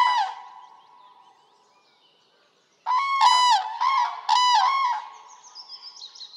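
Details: Common crane bugling in Poland: one call fades away, then after a pause three loud, rolling trumpeted notes come in quick succession, with softer calls trailing off.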